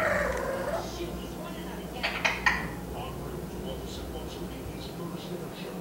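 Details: A male foster Eclectus parrot that talks and whistles when the TV is on and nobody is around gives a short, voice-like, slightly rasping utterance, then two or three sharp clicks over a steady low household hum.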